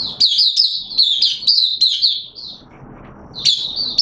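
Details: Caged oriental white-eye singing during wet weather: a quick run of high, thin, slurred notes, a brief pause, then another twittering burst.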